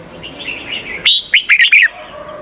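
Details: Red-whiskered bulbul serving as a trapping decoy for wild birds delivers one crisp phrase of five or six rapid, bouncing, whistled notes after soft distant twittering, against a faint constant high-pitched hiss.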